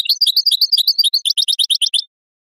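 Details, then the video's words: A European goldfinch song for training songbirds and prompting mating: a continuous, hurried run of sharp metallic chirps, each with a high overtone, shifting midway into a crisper, evenly spaced series that stops suddenly. "improving goldfinch singing skills exercises and training"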